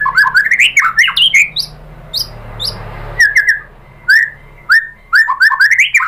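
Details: A white-rumped shama gives varied lure song to draw replies from other shamas. Fast swooping whistles and chirps come in bursts, with a hushed gap in the middle.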